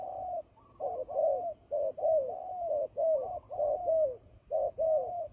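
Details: Fighting turtle dove used for trapping, calling in quick succession: rolling, slightly descending coos with short gaps, repeated about once a second.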